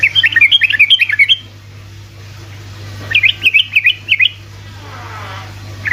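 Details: Sooty-headed bulbul singing fast ropel phrases meant to provoke lazy bulbuls into song: two bursts of rapid, bouncing chirped notes, each about a second long, split by a quiet gap, over a low background hum.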